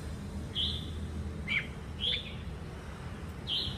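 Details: A wild-caught red-whiskered bulbul sings briskly, sharp bright whistles and a downward slurred note, spaced about half a second to a second apart, over low hum.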